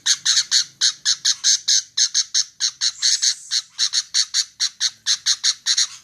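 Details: Steady, rapid series of harsh paired squawks from a female sooty-headed bulbul, continuing evenly for the whole stretch, with no other sounds.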